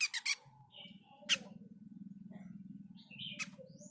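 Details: A caged mini jenggot bird gives scattered short, high chirps and sharp trilled notes with uneven pauses, over a steady low mechanical hum and a few clicks.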